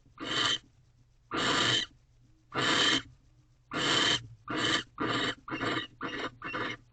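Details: Male barn owl offering a fresh rodent to the female in an owl box at dawn; long harsh hissing screeches, widely spaced at first, then shorter and quicker toward the end, over a low background hum.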